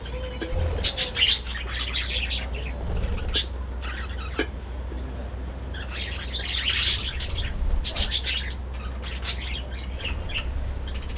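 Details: Budgerigars of a breeding colony chatter during morning activity, with dense bursts of warbled chirps and squeaks rising and fading in waves, against a constant low background hum.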